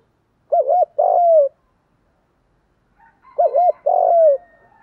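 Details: Decoy spotted dove in thúc and gáy calling meant to attract wild doves: two phrases of a quick double-humped note and a smooth descending coo, separated by silence; faint high squeaks near the second.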